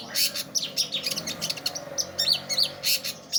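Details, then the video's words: Long-tailed shrike in lively song: quick sharp chirps and short whistled up-and-down slurs mixed with rasping bursts, repeated rapidly and irregularly. "burung pentet/cendet gacor"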